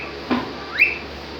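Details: A happy cockatiel gives a single upward-sweeping whistle that levels off on a high tone. It comes just after a soft knock, in a small indoor room.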